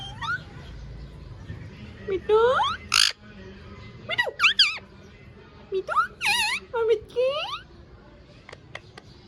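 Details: Ringneck parrot talking: short rising and falling squawky, voice-like syllables in quick bursts, several harsh broadband notes mixed in, separated by brief gaps.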